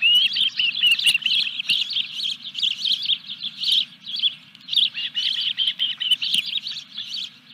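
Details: Osprey calling at the Dunrovin Ranch nest during the third fish delivery, 14 July 2021: dense, loud chirping that opens with a rising whistle and continues in rapid repeated bursts over a low hum.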